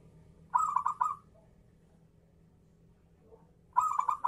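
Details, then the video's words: Zebra dove kerot song played to stimulate other less-active doves to sing; two bursts of rapid rolling, stuttering coos around low-mid pitch, each about half a second long with four or five quick notes, separated by a quiet gap. "SUARA MEMANCING PERKUTUT IKUT GACOR || PERKUTUT KEROT NGAYER"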